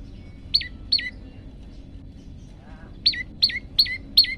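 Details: Actively singing, hungry prenjak lumut: a pair of sharp, high notes that drop steeply, a pause broken by a soft low twitter, then four more of the same notes in quick even succession.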